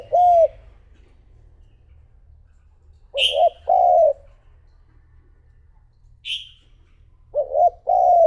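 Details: Decoy spotted dove cooing to draw in wild doves: soft, low, hollow coo phrases arrive in short bursts at the start, around three to four seconds, and near the end, with brief higher chirps from another bird between them.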